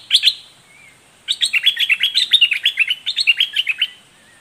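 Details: Red-whiskered bulbul of the southern Thai 'dok taeng' type, singing in the doubled-note style described as fierce and lively: a short chirp pair, a pause, then a fast run of about twenty sharp, bright, rising-and-falling notes.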